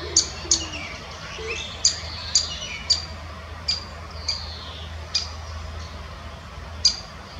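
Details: A great spotted woodpecker (Dendrocopos major) gives sharp, high single 'kik' notes, about ten in seven seconds at an uneven pace, in the Munich Botanical Garden, with faint songbirds and a low hum behind.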